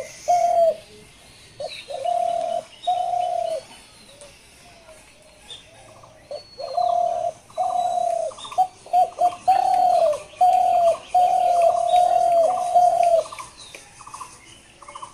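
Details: Dove cooing in a series: level hollow notes of about half a second, repeated in bursts, sparse at first, then a rapid run of around ten notes, with quiet gaps between.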